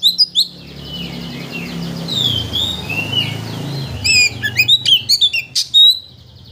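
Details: Kacer (Oriental magpie-robin) provoking song used to make another bird sing its whole repertoire: soft warbled whistles over low rumbling background, then a crisp sequence of high chirps and slurred whistles.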